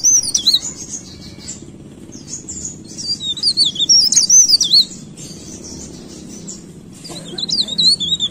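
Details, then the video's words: Leaf warbler, locally cikrak daun or blereng, giving high, fast, wavering song phrases with quiet spells between, over a low murmur. "BURUNG BLERENG - CIKRAK DAUN GACOR"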